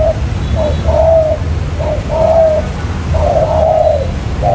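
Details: Spotted dove lure call, 'trơn ròng mailai' style, for catching wild doves: soft short coo followed by a long level hooting note, repeated three times over a low hum.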